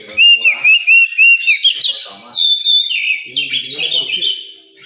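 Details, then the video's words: Oriental magpie-robin at a contest area opens with a series of clear, wavering whistles about every quarter second, then shifts into faster, buzzier warbling phrases as low human chatter rises. "Suara kacer di area lomba"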